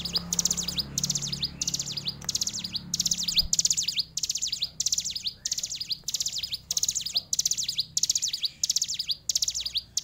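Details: Hill prinia, a fighter-style singer, delivering a fast series of short phrases, each a burst of high, buzzy downward-and-upward sweeps, repeated about every 0.6 seconds with brief pauses between, over faint low background hum.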